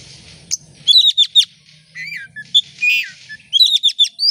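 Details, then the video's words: Oriental magpie-robin singing as a lure for other birds: bursts of sharp rapid chips, clear whistled slurs and a short rasping note, over a faint low hum at the start. "Kacer gacor buka ekor pancingan kacer gacor langsung on"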